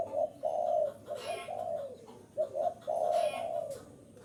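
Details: Luring call of a spotted dove: a couple of hollow, slightly descending coos, then a quick doubled note and a longer coo, over a quiet hiss.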